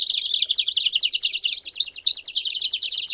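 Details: A chorus of Belgian canaries, several birds overlapping in quick, high rolling trills, with thin rising whistles and short repeated pips toward the end.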